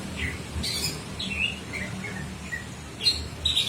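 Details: A few short bird chirps and squeaky notes spaced apart, with some sharp clicks and a faint low background murmur.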